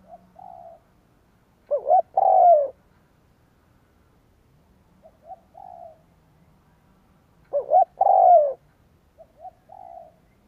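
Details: Decoy spotted dove cooing to excite wild doves: two strong phrases, each a quick double note and then a drawn-out descending coo, roughly six seconds apart, separated by quieter distant-sounding coos.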